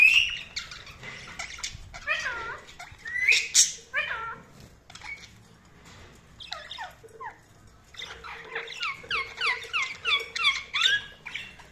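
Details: Budgerigar chatter: twisting, warbled chirps and squeaky notes in loose bursts, busier and more rapid toward the end.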